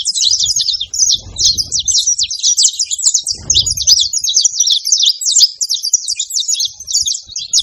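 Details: A group of saffron finches at a feeder producing a steady stream of shrill, clipped chirps and twittering notes, many birds at once, with two brief low thuds partway through.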